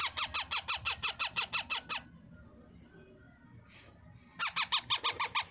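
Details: Baby parrot begging while fed: a run of about twelve harsh, evenly spaced squawks, a brief pause with a soft rustle, then another rapid series of the same rasping calls.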